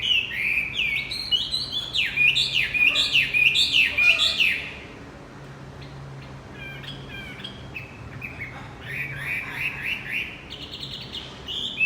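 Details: Javan white-eye song meant to lure a quiet male back into song: a rapid, excited string of sharp up-and-down whistled notes for about four seconds, then softer, spaced chips and trills.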